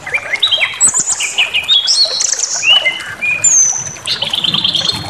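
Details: White-rumped shama singing a bait song intended to make other birds rage: dense sequence of bright whistles, upsweeping slurs and a closing string of rapid repeated buzzy notes.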